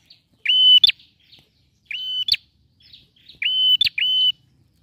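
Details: Male bar-winged prinia singing actively to draw song from a silent bird: three bursts of strong flat whistles with snapping ends, some doubled, separated by clean pauses.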